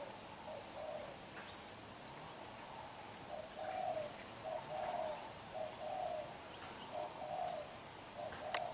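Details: Black-eyed young spotted dove cooing vigorously while bowing, low muffled coo notes grouped in uneven bursts with short gaps, a sharp click near the end, over faint chirping birds and outdoor hiss.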